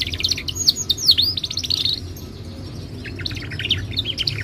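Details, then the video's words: Timbrado canary sings melodic phrases for training: fast looping high notes early on, then softer chopped trills after a brief quieter gap. "Timbrado canary singing beautiful melodic songs for training and listening"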